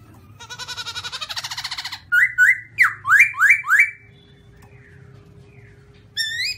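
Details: White-cheeked black-throated laughingthrush: a fast rattling chatter of even pulses, then five loud rising whistled notes in quick succession, a pause, and a short whistle at the end over a steady low tone.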